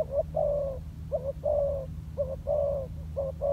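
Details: Spotted dove trained as a decoy, calling on the ground: short clipped notes alternating with longer smooth coos in a quick rhythm, loud and close, with a faint low hum.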